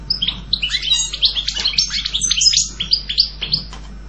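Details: Rapid, jangling European goldfinch song, a dense stream of high slurred chirps and twittering notes tumbling over one another for a few seconds.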